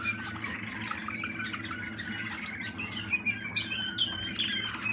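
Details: Young 2020 Malinois Waterslager canary producing soft rolling trills that build into higher sharp whistled notes toward the end, accompanied by a low steady hum.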